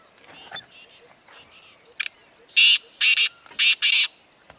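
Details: Harsh rasping call of a black francolin in the Corbett grasslands of Uttarakhand, India: after faint murmuring, a sharp click then four loud grating notes in quick succession, roughly two per second.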